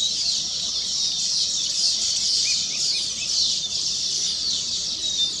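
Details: Weaver birds singing on their completed nests, celebrating; a continuous wall of high, hissing chatter from many birds, with a few clearer squeaky notes poking through.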